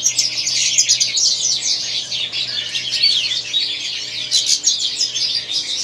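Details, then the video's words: White-throated European goldfinch, apparently caged indoors, singing a continuous rapid high twittering song of tinkling, buzzy and liquid notes with no pauses, over a faint low electrical hum. "STIEGLITZ WEIßKEHLE"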